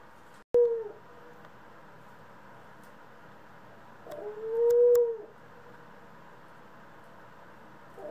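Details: Pet dove call among ringneck, Senegal and hybrid doves: a clipped coo after a sharp click, a long quiet gap, then one fuller, smooth low coo lasting about a second.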